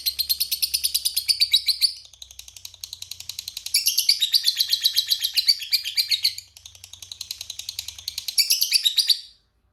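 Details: Lovebird singing the sought-after long "ngekek" chatter: bursts of rapid, piercing, rattling notes in four phrases, each lasting a second or two, separated by quieter chattering and a short final pause.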